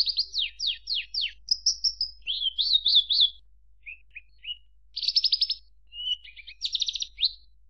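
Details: Javan bush lark singing a varied song of rapid descending chirps, buzzy trilled phrases and short whistles, mostly high-pitched, delivered in quick bursts with brief pauses between them.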